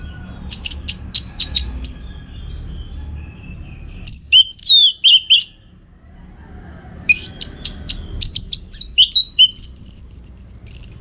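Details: Song of an Orange-headed thrush for training contest birds: rapid repeated chips, a loud twisting phrase of whistled slurs, a short silence, then a long rich stream of varied high whistles and trills.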